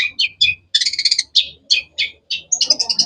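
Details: Rapid sharp chirps from a long-tailed shrike (cendet), about a dozen bright notes in three seconds, ending in a fast rattled trill of high whistles; faint low background hum.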